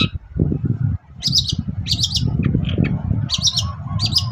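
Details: Long-tailed shrike morning song, a lure meant to make any shrike respond: after a brief pause come bursts of sharp, squeaky chattering notes in quick clusters, over a continuous low rumbling noise.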